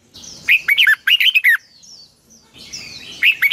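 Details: Red-whiskered bulbul morning song, long double twisting voice (giọng kép xoắn dài), recorded in 2020 as a training lure. A lively string of bubbling, slurred notes is followed by a short thin whistle and quiet, then a new phrase begins.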